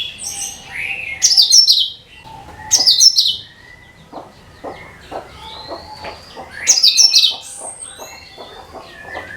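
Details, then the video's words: Cucak kinoi bulbul song for luring birds: loud bursts of quick, bright descending notes, with quieter whistled slurs and soft repeated ticking notes in between. "SUARA CUCAK KINOI BUAT PANCINGAN SEGALA JENIS BURUNG"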